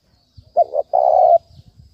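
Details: Spotted dove uttering the 'thúc bổi' urging call used to excite a decoy for trapping: one low phrase of a brief wavering two-part note and then a longer even, hoarse coo.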